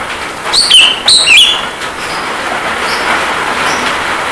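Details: Javan myna song for masteran, played with rain. Two sharp whistled phrases open, each falling then levelling, followed by several seconds of steady rain hiss only.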